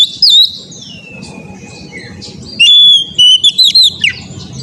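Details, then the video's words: Caged Oriental magpie-robin singing as training material: a bright whistle sliding slowly downward, a pause, then a run of clear, rising and falling whistled notes ending in a sharp flourish, over a faint low hum. "TERAPI KACER BAHAN AGAR CEPAT GACOR NGEPLONG‼️COCOK UNTUK BURUNG KACER"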